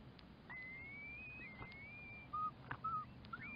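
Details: Curlew calling: a long rising whistle that climbs and holds, then dips and slides up again, followed by short lower whistled notes and a final rising note.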